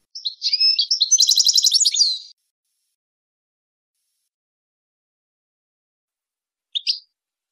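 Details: European goldfinch song for tutoring young goldfinches and hybrids: a warbled lead-in flowing into a rapid, rattling pulsed trill, then silence broken by one short chirp.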